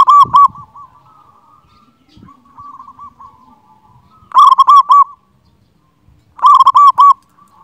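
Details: Local Zebra dove with a big, loud voice, used as a master song to get quiet birds singing: three loud cooing bursts of rapid rolling notes spaced about two seconds apart, with a softer coo between them.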